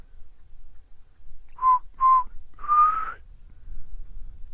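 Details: Black cuckoo (Cuculus clamosus) calling on 21 November in humid conditions, when it is often heard in this region, near a displaying nyala bull: two short level mournful whistles, then a longer slightly rising one, over low rumble.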